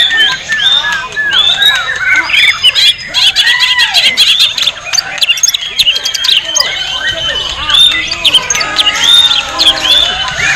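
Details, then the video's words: Caged White-rumped shama (Murai Batu Jabrik) in a songbird contest at Piala Ronggolawe Cup 1, Gelanggang Pemuda Mataram, Lombok. It won the top prize and pours out rich, rapid, slurred, varied whistled phrases over a dense chorus of other songbirds and faint voices. "Suara Burung : Murai Batu Jabrik"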